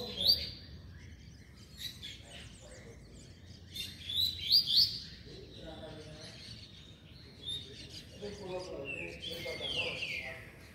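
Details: Young coleira (double-collared seedeater), five months and twenty days old, singing in short high whistled phrases scattered through the recording, with quiet pauses between bursts and faint voices in the background.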